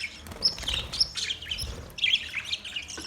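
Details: Budgies in a colony setup give clear, sharp chirps and short whistled twitters in two bursts, over a steady buzzy flock murmur.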